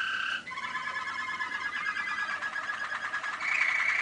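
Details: Malinois waterslager canary song from 2013: a brief high note, then a long continuous warbling trill with a water-like bubbling quality that rises slightly in pitch toward the end.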